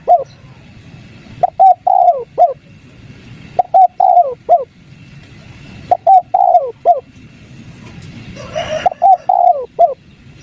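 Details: Spotted dove calling in the 'kuk 3' style, used as a lure to get lazy wild doves to answer: mellow cooing phrases of four notes, a short note then a long falling coo, repeated about every two and a half seconds.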